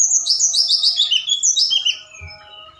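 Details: Forktail calling at night as a lure meant to provoke other birds: a dense, shrill twittering of very high notes that drops lower and fades out near the end.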